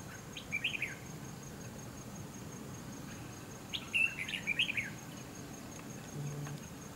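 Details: Red-whiskered Bulbul at a fighting trap with decoy bird no. 279, fanning out its feathers; two short bright chirpy warbled phrases, one near the start and a longer run about three seconds later, over low background rumble and a steady high whine.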